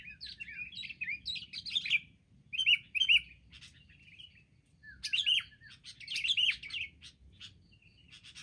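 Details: Wild sooty-headed bulbuls attacking together in a group: bursts of bright, slurred chirping notes, rising and falling, come in clusters with short gaps, several quick phrases overlapping, against a quiet low background hum.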